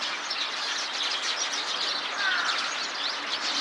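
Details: A flock of Eurasian tree sparrows chattering together in a tree, one sparrow restless outside the group; overlapping sharp chirps form a busy, steady twittering wall, with a brief downward-sliding note near the end.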